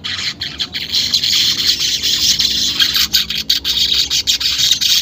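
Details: Weaver song for coaxing caged birds into singing; a steady, hissing, sizzling chatter fills the whole stretch with rapid clicking pulses and no other clear sounds.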